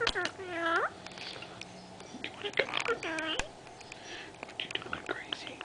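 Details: Indoor pet Senegal parrot, a three-year-old female that talks a great deal, utters several falling, harmonic, voice-like phrases with clicks and chatter between them, sounding like imitated words.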